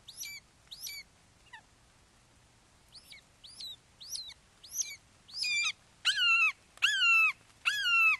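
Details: Red-shouldered hawk nest in Wake Forest, 08:38 on 29 May 2023, the father delivering a frog to a fledgling; scattered thin notes build into loud, harmonic, down-curving screams repeated steadily a little over once a second.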